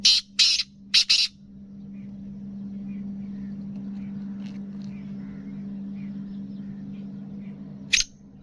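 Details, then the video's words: Black francolin of a type called speeder with nasal voice, kept by a breeder: an opening run of harsh, grating high bursts in quick succession, then long steady hum and one final rasping note near the end. "Speeder Kala Teetar Gangas Nasal Black Franclion Voice"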